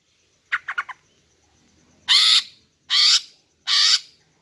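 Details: Female greater green leafbird lure call for males: a quick burst of four chirps, then three long harsh buzzy rasps spaced under a second apart.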